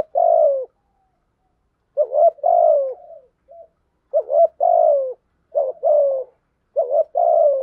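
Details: Spotted dove kept as a decoy, cooing to draw in wild doves. Soft, low, hollow coos come in grouped bursts, a short clipped note followed by a drawn-out descending one, with gaps of a second or more between phrases.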